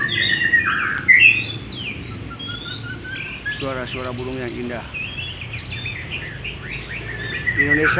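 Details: White-rumped shama in Indonesia singing a varied song: clear whistled phrases, sliding notes and rapid rattling trills, with steady background noise throughout.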